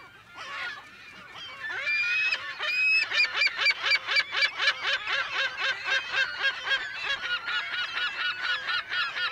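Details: California gulls calling in a colony, heard close to medium distance. Harsh, nasal, honking notes run in a fast, steady series of about four per second, building in loudness after a few scattered opening cries, with other gulls calling behind.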